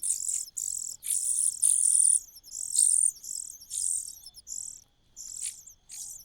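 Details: Common cuckoo chick in a nest, growing while gaining food advantages; very high, hissing begging bursts, each roughly half a second to a second long, repeated in an uneven series with brief gaps, little else audible.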